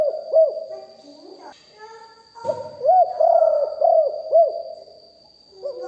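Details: Spotted dove kept as a decoy, recorded live for its big voice: low arched coos repeated in a loose series, interrupted by brief human voice sounds and a sharp knock, over a steady faint high-pitched tone.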